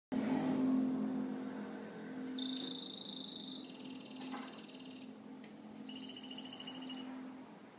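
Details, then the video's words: Yellow-faced grassquit (tomeguín de la tierra) singing canary-style: two short, thin, high buzzy trills a few seconds apart over a steady low hum. "Tomeguin cantando canario"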